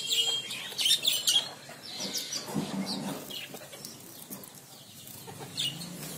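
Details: A pair of zebra finches taking a bath; short, bright chirps in quick bursts during the first second and a half, then scattered softer notes and rustling.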